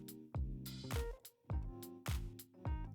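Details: Rhythmic music with deep bass beats and instrumental chords; no animal sound is heard.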